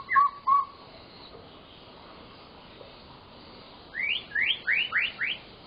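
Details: White-rumped shama in lively song, played to prompt silent shamas to sing: two sharp whistled notes, a long quiet pause, then a run of five quick rising whistled notes.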